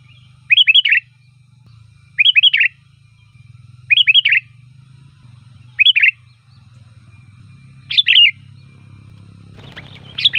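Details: Loud, varied song of a sooty-headed bulbul, used as a lure: short bubbly, three-note phrases repeated roughly every two seconds, ending with a burst of noise, over a low steady hum.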